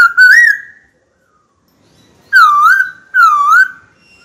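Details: White-cheeked laughingthrush kept in a cage, singing to call a rival to fight: a long, wavering whistle, silence, then two loud, rich whistles that dip and rise again.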